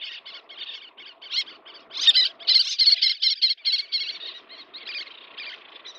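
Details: Chick-feeding little tern delivers loud, scratchy high calls in rapid chattering runs that grow stronger midway, with a softer background murmur that fades out.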